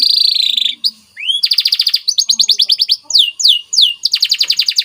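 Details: Training song of a white canary, vigorous and varied: a buzzy opening note, an upward swept whistle, then rapid repeated trill rolls and falling slurs.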